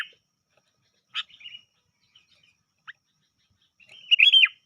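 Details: Sooty-headed bulbul giving a lure call without filler: scattered short chirps and brief notes, ending in a louder, bright chirping phrase that bends up and then down. The background is otherwise quiet.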